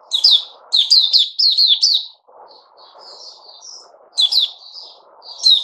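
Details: Puteh Raja bulbul recorded 8 May 2021 after fruit juice and a mealworm: loud rolling warbled phrases of rapid notes, a pause with faint soft whistles, then the chattering resumes, over a low steady background hum.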